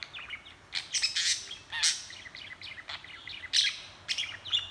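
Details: Pet budgie talking and chattering nonstop, filmed by hand; scratchy chirps, clicks and raspy bursts overlap in a dense, uneven stream of warbling chatter.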